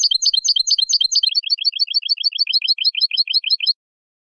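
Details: Tutoring song of a Moroccan goldfinch for captive goldfinches and hybrids: fast rattling high phrases that shift into a steady, rapid series of paired metallic notes lasting almost four seconds before ending abruptly.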